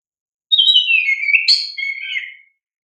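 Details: Oriental magpie-robin song played to make young birds respond: one continuous two-second phrase of gliding, descending whistles broken by a sudden higher burst, then sliding down again.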